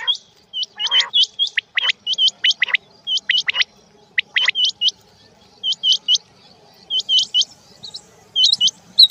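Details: Quail, male and female, calling in rain: bright, rising whistled notes in pairs and triplets, repeated over and over by overlapping birds, with a faint steady background hiss.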